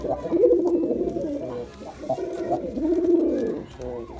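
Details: Performing male Girabaj pigeon cooing in long, warbling, throaty runs, two extended phrases separated by a brief pause, then a short rising note at the end.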